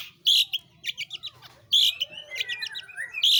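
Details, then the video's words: Pentet or cendet, the long-tailed shrike, singing the 'roll tembak' style: grating buzzy blasts followed by fast stuttering rolls of short scratchy notes, with a thin rising whistle threaded through. "burung pentet/cendet gacor ROLL tembak"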